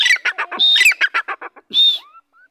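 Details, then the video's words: Francolin (teetar) calling at close range: a fast run of about ten loud, harsh squawking bursts, broken by two drawn-out high whistled notes, ending in a faint rising whistle. "teetar ki boli /teetar voice"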